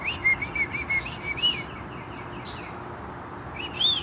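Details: Wild birdsong recorded outdoors during a vacation in May 2021: a quick run of bright, chirped notes repeated about every quarter second for the first moment, then steady background hiss, a brief high note, and a final clear whistled note.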